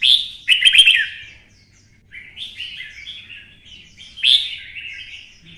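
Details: Fighting song of a red-whiskered bulbul, Vietnam, twisting-voice style, the bird stirred up to sing hard. A loud rolling opening phrase, a pause, then a stream of softer warbled notes and another strong outburst.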